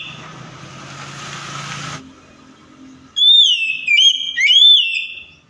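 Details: White-rumped shama song meant to coax a silent shama into replying: two seconds of broad hiss, a short lull, then loud sustained high whistles in three linked phrases with small pitch steps and bends.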